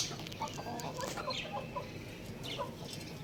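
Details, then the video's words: Young rooster chirping outside: a few soft, short clucking chirps scattered across a few seconds, with faint higher chirps of other birds over a steady background hiss. "Little Young Rooster Chirping Sounds"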